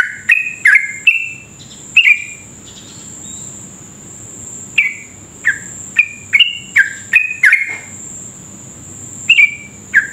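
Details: Sooty-headed bulbul singing in rapid 'ropel' style, a lure for prompting other bulbuls to sing: clusters of quick bubbling whistled notes with silent pauses between bursts, a constant high-pitched whine running throughout.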